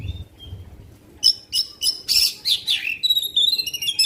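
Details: Black-winged magpie-robin giving long song bursts to provoke rival birds: a soft whistle, then loud sharp chips, a descending slur and a fast high buzzy trill, with low thumps at first.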